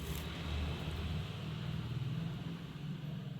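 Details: A deep, pulsing engine rumble dominates throughout, with a soft hiss on top and no bird voice audible.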